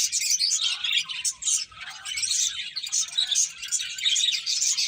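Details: Eating finches keep up a steady chorus of thin, high chirps and twitters, briefly dipping in loudness near the two-second mark before resuming.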